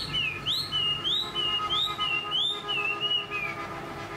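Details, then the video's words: Chinese hwamei kept in a cage, praised as a strong singer with a long body shape, repeating clear whistled phrases that rise and fall in smooth loops about twice per second, evenly paced, with a soft background hum. "Họa mi dáng ngũ trường, đấu xòe, hót tốt"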